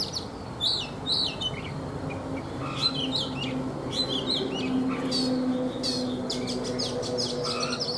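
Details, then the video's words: Morning song of a caged Oriental magpie-robin, wild-caught as an adult and caged for three seasons: bursts of sharp high whistles and chattering phrases, with short gaps, against constant low droning noise. "Chòe Than già rừng - 3 mùa lồng hót buổi sáng"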